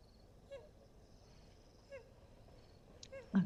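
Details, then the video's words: Common moorhen in Africa giving three short, abrupt croaking notes spaced over a few seconds, above a faint steady high hum and low rumble, ending in a loud bump. "I think that's your moorhen you're hearing."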